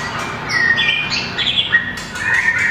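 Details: Small long-tailed white-rumped shama in a cage singing competition song: quick sequence of clear whistled notes at shifting pitches, smoothly sliding phrases, followed by a bright falling whistle.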